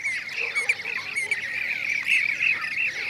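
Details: Blue-cheeked bee-eaters (Merops persicus) in Şanlıurfa, Turkey, 2016, give rolling, trilled 'prruip' flock calls that overlap continuously from several birds, a busy, mid-pitched chorus with no gaps.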